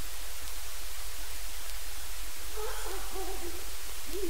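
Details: Distant wild Great Horned Owl giving uncommon single squawks and "wild" hoots. After a noisy pause, a series of short, quavering low notes follows in quick succession, partly masked by a constant deep hum.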